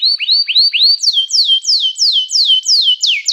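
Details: Singing canary, its song used to coax other canaries into singing: rising upswept whistles repeated about three times a second, then a series of loud downward-sliding notes at a steady pace.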